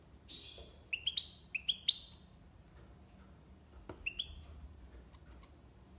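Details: European goldfinch from Algiers, tiwawati song: scattered bright chirps and short downslurred twitters in small clusters, with pauses between them, over a faint background hiss.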